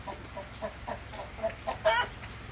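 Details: Soft Splash Wyandotte hen clucks come in a slow series, ending with a louder, rising squawk.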